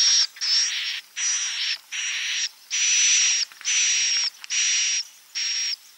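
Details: Swiftlet roosting lure in the klepek-klepek style, edible-nest swiftlet: seven rasping buzzy bursts of uneven length, some starting with a slight upward whistle, separated by short silences.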